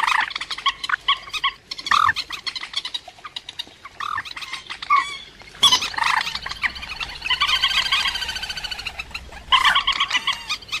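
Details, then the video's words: A rail (cuốc biển), in a recording used as a trapping lure, gives harsh, nasal calls in quick, overlapping bursts, rising into a dense, ringing chatter midway before breaking off again. "Tiếng cuốc biển chuẩn"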